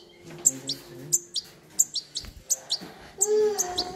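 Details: Young European goldfinch, a baby bird kept by a person: sharp high chirps repeated irregularly, roughly two to three per second, each a quick descending squeak, with handling noises and a low hum between them.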